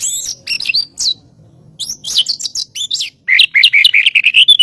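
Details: White-rumped shama master song for training birds: thin, very high sharp notes in short bursts, then a fast run of lower, fuller whistled notes.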